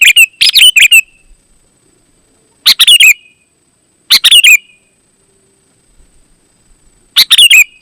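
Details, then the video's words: Energetic kutilang, the sooty-headed bulbul, singing to lure other bulbuls: short bursts of three or four liquid, warbled notes, each burst separated by one to two seconds of silence. "Suara Burung KUTILANG GACOR, Ampuh Untuk Suara Panggilan Burung Kutilang AUTO Ikut Gacor"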